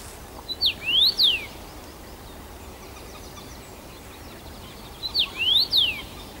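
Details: First-summer male Common Rosefinch in song at Bazel, Belgium, 7 June 2015, returning to the same branch; two identical clear whistled phrases roughly four seconds apart, each a few notes ending in rising then falling slurs.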